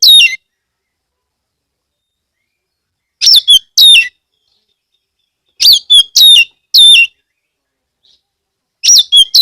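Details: Oriental magpie-robin in Central Java giving a loud lure song to spur other magpie-robins into song: clusters of two or three sharp, high, downslurred whistled phrases, separated by silent gaps of about two seconds.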